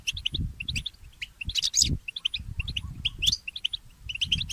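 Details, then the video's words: Early-morning song of a goldfinch hybrid (goldfinch mule): quick, high chirps and tinkling notes strung into a lively twitter, with a couple of harsher buzzy accents and soft low background noise. "The inspiring Motif of the Mule Goldfinch and the Birds"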